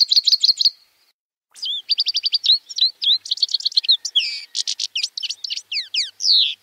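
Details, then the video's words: Grey-headed (Himalayan) goldfinch, Carduelis caniceps, sings a rapid, tinkling run of high twitters, buzzy trills and slurred notes, broken by one brief pause, with no other sounds. "Щегол седоголовый (Carduelis caniceps)"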